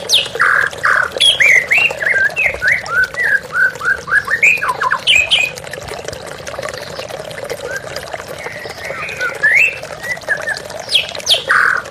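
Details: White-rumped shama in a therapy recording with running water: dense bursts of whistled and harsh notes in the first half, quieter scattered notes later, steady water hiss throughout.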